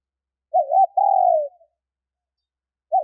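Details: Female spotted dove's male-stimulating call: a single two-part coo, a quick quavering note then a sustained, slightly falling tone, with the next phrase just beginning at the end; otherwise silent.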